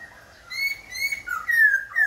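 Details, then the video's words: Khe Sanh laughingthrush, singing and dancing with constant voice changes, gives a short series of clear, sustained whistles, one steady, then slurred notes sliding downward, each rich in high overtones. "Khướu Khe Sanh hót múa đảo giọng liên tục"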